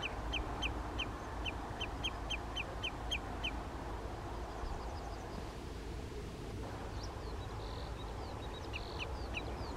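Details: Common redshank, adult and juvenile, near Skoczów, Poland, on 16 June 2021, give a quick run of clipped piping notes about three per second, then scattered higher calls, over a low rumble of wind or distant traffic.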